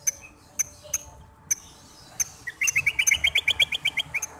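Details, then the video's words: Song of a greater green leafbird, used to stir another bird into breeding mood before a singing contest: a few scattered sharp ticks, then a rapid burst of bright repeated whistled notes lasting over a second. "PANCINGAN CUCAK HIJAU agar birahi sebelum dinaikkan ke gantangan"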